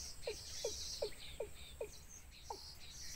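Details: Wild baby birds at their nest begging their mother for food: a string of short, low, downward-sliding notes about every 0.4 seconds, with thin high chirps in the background.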